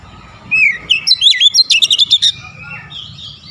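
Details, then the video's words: Shooting-style song of an Oriental magpie-robin unloading its repertoire: rising whistle, then a dense string of about a dozen sharp, clipped notes delivered rapidly, fading into soft twitters against a low background murmur. "KACER NEMBAK NEMBAK BONGKAR ISIAN"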